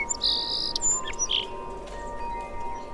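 A sparrow gives a few bright chirps, one long buzzy note, then short high cheeps, over a steady low hum and background hiss.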